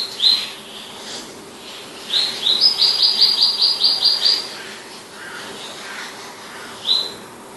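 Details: Palestine sunbird gives scattered high chips, then a fast ringing trill of about ten evenly repeated, sharp high notes lasting two seconds, then a final single chip, over mild background hiss.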